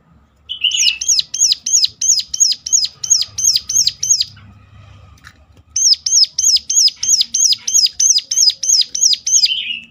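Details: Sunda warbler (ciblek gunung) giving a sharp calling series used to lure other birds to sing: two bursts of rapid, evenly spaced high notes, about three per second, each arching down, separated by a brief pause.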